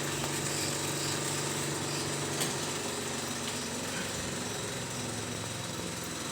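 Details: Continuous buzzing drone of a small engine or power tool fills the whole stretch, with no animal calls.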